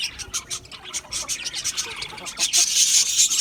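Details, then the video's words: Short pulsed budgerigar chirps repeat several times a second, then swell into one loud sustained scratchy chatter at the end. "Budgie Parrots Budgie Parrots Chirping sounds"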